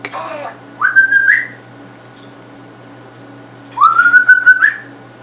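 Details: Pet African grey parrot indoors, a male that picks up words and sounds quickly, giving two clear rising whistles that level off and then rise again, separated by about three seconds, with a low steady hum in the room.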